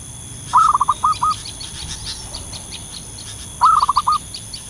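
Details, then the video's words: Lively wild zebra dove with its lure call: two bursts of short, clipped cooing notes, the first ending in a slower pair, over faint background chirping of other birds. "suara pikat burung perkutut lokal gacor di alam liar"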